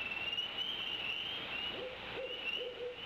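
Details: Owl hooting at night near a bald eagle nest in Decorah while the adult male eagle sits with the eaglets; a few low, soft hoots come late and faintly beneath a steady, high insect trill.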